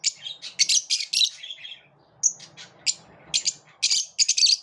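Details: Several lovebirds living in a group squabble and repel one another: sharp, high-pitched chirps and squawky bursts in quick clusters, with a short pause in the middle before the chattering resumes.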